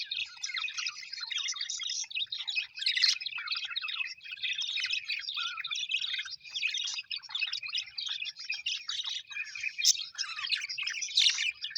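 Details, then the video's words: Colourful pet budgies, called happy, fill the air with long unbroken chattering: warbled chirps, quick twitters and scattered sharp squeaks from many birds together. "Happy budgies chirping sound"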